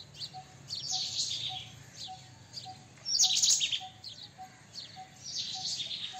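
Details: White-throated kingfisher, also called white-breasted kingfisher: three rasping high bursts, the loudest in the middle. A soft, regularly repeating low pip is heard throughout.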